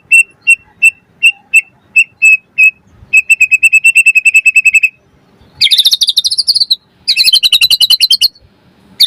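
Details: White-rumped shama song as a provoking lure for other birds: a string of evenly spaced clear notes, then a faster trill, followed by two dense buzzy rattling bursts.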